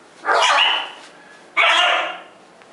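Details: Scarlet macaw pair on a farm, giving two loud, harsh, raspy squawks, each lasting under a second and separated by a short pause, with a quiet background.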